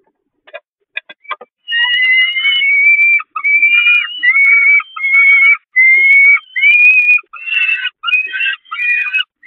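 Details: At the Catharinakerk peregrine falcon nest, during a feeding on the grating on 11 May 2021, a few faint clicks lead into a steady series of loud, whining begging wails, each under a second, repeated almost without pause.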